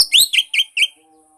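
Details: Brief Oriental magpie-robin phrase, kept as a prompt for a mute kacer: a rising slurred whistle followed by three clear, evenly spaced whistled notes.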